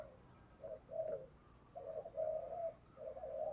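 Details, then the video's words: Decoy spotted dove calling and cooing vigorously to lure wild doves; soft, muffled coo phrases in three bursts, each a run of low rounded notes, over a faint background hiss. "Chim Cu Mồi Thúc Và Gáy Gọi Rất Sung"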